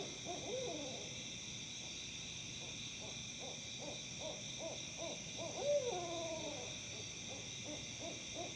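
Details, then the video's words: Several wild owls in Tennessee making odd noises likened to monkeys: rapid runs of low hoots with wavering, sliding calls that drop in pitch, over a steady high insect chorus. "Owls Hooting, Making Odd Noises."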